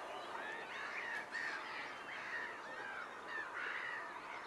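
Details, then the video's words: Whooper swans at Nosterfield on 28 February 2015, recorded with a Panasonic GX7 and a Swarovski scope: nasal, honking calls of middle pitch repeated roughly every second, some slightly rising then falling, over a steady hiss of background noise. "Whooper Swans"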